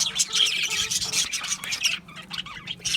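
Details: Budgie chirps come quick and scratchy, a run of clipped squeaks and buzzy notes that thins out into softer twitters after two seconds.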